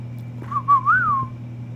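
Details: Pet female cockatiel whistling back to her owner in daytime, as she has for a couple of days, gives a short, clear whistle that wavers up and down before falling away, with background music.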